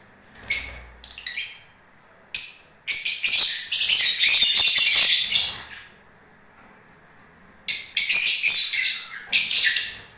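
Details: Lovebirds in breeding season: a few scattered chirps, then a sustained three-second burst of shrill, buzzy twittering, followed by a pause and two further short squeaky bursts.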